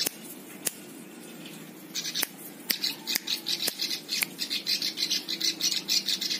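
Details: Plain prinia song as tutor material for other birds: a few sharp clicks, then a long run of buzzy, high pulsed notes grows steadily denser toward the end.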